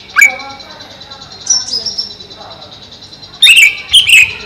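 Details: Caged cucak ijo, or greater green leafbird, over a pond: one sharp dropping note, a softer high thin phrase, then two loud slurred whistled notes near the end.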